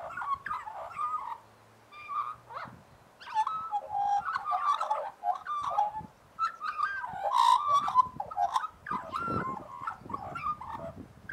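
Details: Australian magpies warbling in harmony as a group: a long run of varied whistled and gurgling phrases, some rising and some falling, with a short pause near two seconds and a scratchy burst near nine seconds.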